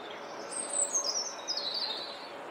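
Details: A European robin sings in the Flower Walk, a thin, high, wavering phrase sliding gradually downward over about two seconds, answering a rival a short way down the path, over a steady background hiss.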